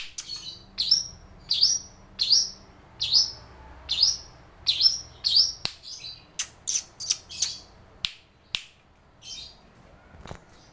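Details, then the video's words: Long-tailed shrike reproducing lovebird calls: short, high, upward-flicking chirps repeated about every 0.8 seconds, then quicker, scratchy notes and sharp clicks that follow more irregularly. "Burung cendet gacor‼bongkar isian lovebird"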